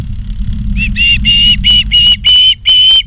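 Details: Osprey calling on a live nature cam at Charlo, Montana, 28 August 2023, 16:08: about seven drawn-out shrill whistles, the notes lengthening and tightly spaced, over low rumble.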